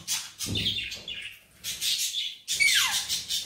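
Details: Green Indian ringneck parakeet, a talking pet bird taught Urdu/Hindi, gives bright chirps and a sharp whistle sliding downward, with a burst of harsh chatter between soft pauses.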